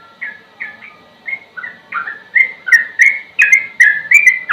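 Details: Sooty-headed bulbul in ropel song style, used as a training recording for songbirds: a run of short, clear whistled notes. The notes shift up and down and grow louder and quicker over about four seconds.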